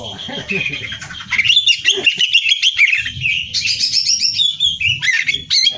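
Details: Greater green leafbird delivering a strong song for competition training: soft lower notes at first, then loud high whistles, chatters and rapid trills running continuously.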